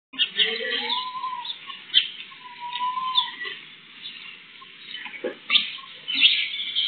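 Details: Sparrows on World Sparrow Day, picked up by a home CCTV camera: dense high chirps and chatter run continuously, broken by a few sharp louder notes, with two smooth whistled tones sliding in the background.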